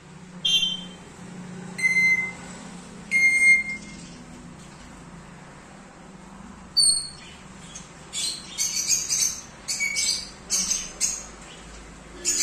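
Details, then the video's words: Fully tamed pet African grey parrot making different sounds: a few clear whistled notes, some sliding upward, spaced one to two seconds apart, then a run of short, harsh, high buzzy chirps in quick bursts, over a low steady indoor hum. "African Grey Parrot | Fully Tamed | Talking | Making different Sounds"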